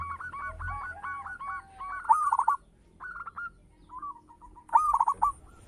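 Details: Local zebra dove with a big, rich voice: rapid repeated stuttering coos followed by loud rolling trilled phrases and softer single coos between them, with crackling bursts on the strongest notes.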